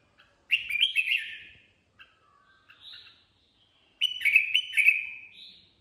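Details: Kept Red-whiskered Bulbul in improvised 'ché' style. A loud, warbled, whistled phrase is followed by quiet scattered notes, then a second long, bright, rolling phrase that tapers off.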